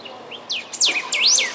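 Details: Golden-billed saltator (Saltator aurantiirostris parkesi), Canguçu, Rio Grande do Sul, September 2016: a brief, loud phrase of soft lead-in notes followed by clear, sharply sliding whistles, the last one drawn out and emphasized.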